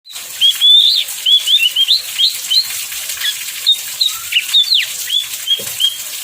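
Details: Oriental magpie-robin singing during heavy rain, used to prompt other magpie-robins to sing: a string of short clear whistled notes and slurs, some rising, some falling, over a steady hiss of pouring rain.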